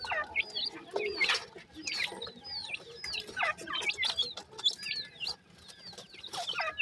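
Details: Captive teetar (francolin) chicks repeat high, clean peeps that drop in pitch, several birds calling at once amid light tapping sounds.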